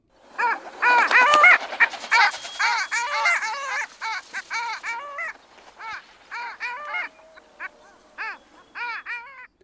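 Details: Wintering Long-tailed Ducks, one of the noisiest ducks, whose call carries a good distance, give loud, nasal, yodelling calls that rise and fall, several birds overlapping in a quick, clamorous chorus of about three notes a second.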